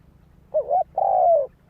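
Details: A single spotted dove phrase: a short wavering double note, a brief pause, then one long steady coo that sinks slightly at the end, over quiet low hum.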